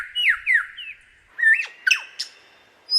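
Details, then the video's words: A male lyrebird in winter display to attract a female mimics other birds' songs, using two voice boxes to make layered notes. Its song is a rapid run of varied loud notes, clear downslurred whistles then rising and falling sweeps, about seven phrases in three seconds. "Lyrebird's Ultimate Talent Show | Nature's Mimicry"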